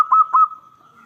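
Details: A local zebra dove, a recording used as a lure to draw replies from other zebra doves, gives two quick, soft, mellow cooing notes, then a long, faint, drawn-out hum at the same low pitch.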